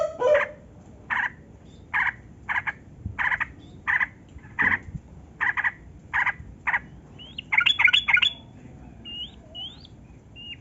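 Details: Yellow-vented bulbul calls meant to prompt captive birds to sing: sharp chirps repeated about every half second, then a brief rapid trill and a few thin rising whistles.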